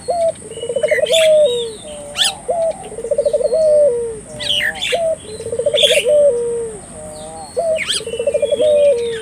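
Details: Vigorously calling Barbary dove, played to stir local doves into calling: four low, vibrating, rolling coos, each ending in a held note, spaced about two seconds apart, with scattered bright chirps from other birds and a constant high-pitched hiss.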